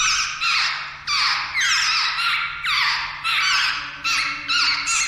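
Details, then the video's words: Jungle babbler chicks ready to fledge, known in Uttarakhand as the seven sisters, utter raspy squealing calls sliding downward, one after another almost without pause, each roughly half a second long, with a low background hum. "जंगल बेबलर के बच्‍चे आज उड़ान भर लेगें"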